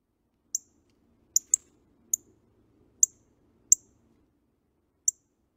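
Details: Northern Cardinal calls, a Kentucky backyard bird, likely the brown female: sharp, high, metallic chips, seven in about five seconds at an uneven pace, with a faint low hum beneath.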